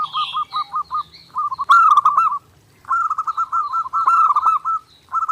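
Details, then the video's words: Zebra dove (perkutut) singing nonstop in a clear training master: evenly spaced coo notes, a loud rolling phrase, a brief silence, then a long run of quick bubbling notes with faint higher chirps above. "SUARA PERKUTUT GACOR NONSTOP | MASTERAN PERKUTUT JERNIH UNTUK LATIHAN HARIAN"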